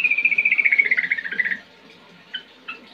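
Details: Yellow-vented bulbul song meant to get kept birds singing: a quick, high, chattering trill that drifts gently downward for about one and a half seconds, then a pause broken by two short notes.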